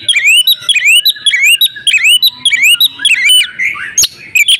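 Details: Female Oriental magpie-robin calling to the male, a master recording to make males sing; rapid repeated rising whistled notes, each sweeping upward with high overtones, about two per second, ending in a buzzy rolling phrase and a sharp click.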